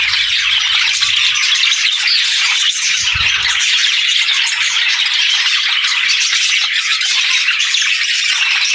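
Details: A flock of budgerigars keeps up a steady high chatter of rapid chirps and scratchy warbling, with a brief low rumble early on.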